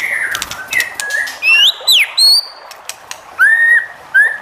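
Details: White-rumped shama singing to spur other shamas into song: clicks and soft notes, then loud rising whistled phrases, a pause, and two further clear level whistles.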